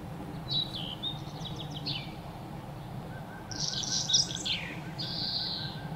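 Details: Playful birds chirping while bathing and eating: high, thin chirps and short twittering notes in scattered bursts, with a brighter buzzy cluster near the end, over a steady low background hum.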